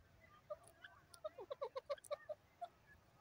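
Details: Grey francolin calling in the wild: a faint, quick series of about ten harsh, clipped mid-pitched notes packed into roughly two seconds, over a low background hiss.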